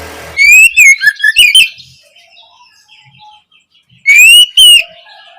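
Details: Oriental magpie-robin opening song, recorded as learning material for young birds: a burst of warbled, rising whistles with sharp ticks, a quiet pause of about two seconds, then a short renewed phrase.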